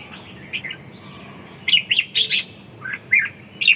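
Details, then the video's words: Red-whiskered bulbul in competitive song, meant to restore a bird's lost drive: a quiet start, then loud separate chirps and short whistled notes, some sharp and high, spaced about a quarter second apart, over low hum. "Đấu ché, phục hồi chim mất lửa, mất lực"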